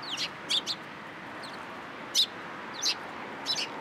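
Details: Sparrows gathering in a cherry tree at a Tenmangu shrine on 22 March 2023: a handful of bright, clipped chirps, some paired, spaced irregularly against quiet background hiss.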